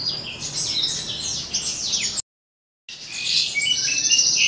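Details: Asian pied starling copying songs, pouring out rapid, overlapping high whistles and downward-sliding notes. A brief silent break splits the passage, then the varied chatter resumes, louder.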